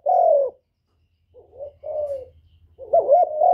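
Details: Captive spotted dove used as a decoy singer, recorded close: a steady falling coo, a pause, two softer coos, then a louder rolling, wavering coo, all low and hollow in tone with a faint low hum beneath.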